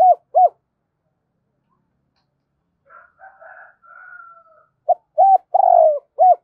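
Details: Spotted dove lure bird cooing quickly: two short coos, a quiet stretch of faint higher chatter, then a phrase of short hollow coos around one longer drawn note.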